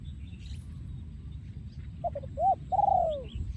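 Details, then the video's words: Breeding male spotted dove from 2023 singing in the โยนคูอ่าง style. After a quiet start come a few short coos, then a longer, drawn-out falling coo. There is steady low background rumble. "พ่อพันธุ์ 2023 โยนคูอ่าง"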